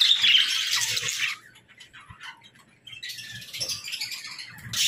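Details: Budgerigars in an aviary, playful chatter in bursts of dense high warbling, a quiet pause in the middle before the busy twittering returns.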